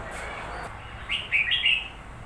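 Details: Red-whiskered bulbul, recently purchased, singing a brief bubbly phrase of three or four quick rising and falling whistled notes near the end, with soft background noise.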